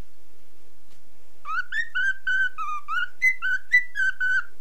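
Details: Cockatiel aged nine months sings indoors following a mobile phone; after a quiet start comes a steady string of about a dozen whistled notes, roughly two per second, a few stepping up higher.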